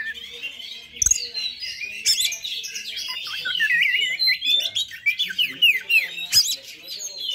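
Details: High fighter song from an Oriental magpie-robin, played to provoke other magpie-robins; continuous rich warbling with sharp upward whistles, buzzy notes and occasional click-like taps.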